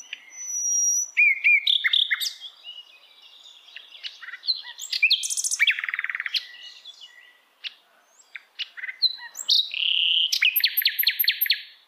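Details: Wild hill blue flycatcher with a long, varied song of bright whistled phrases, rapid chattering trills and sweet slurred notes, ending in a quick run of high repeated ringing notes.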